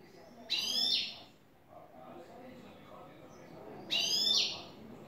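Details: Newly acquired goldfinch in clean song of the style called "el tres vueltas"; two short bright twittering bursts about three seconds apart, each with rapid chattering notes, over a murmuring low background.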